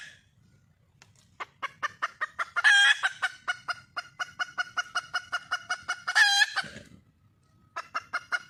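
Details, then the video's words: Junglefowl hen, wild, calling for a male: accelerating clucks building into a harsh squawk, a long run of evenly spaced clucks, then a second loud ringing screech and a short pause. "le bruit d'une poule sauvage,เสียงไก่ป่าร้องหาถู่หาตัวผู้,ສຽງໄກ່ປ່າຮ້ອງຫາຄູ່ຮັກ, poj qaib qus see"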